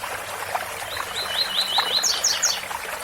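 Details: Tui tui bitola song of a double-collared seedeater with a waterfall: a rapid row of repeated slurred whistles climbing into sharp, buzzy high chirps, with constant splashing water behind.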